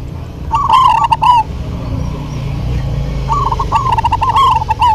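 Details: Local zebra doves duetting: two bursts of rolling, quavering coos with a rapid trill, the second run longer and answered, over a soft low background hum.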